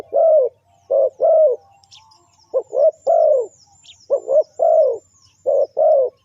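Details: Deep, repeated coos from a spotted dove used to attract wild birds for trapping, delivered in clustered pairs and triplets of short and longer notes, with faint high whistles in the background.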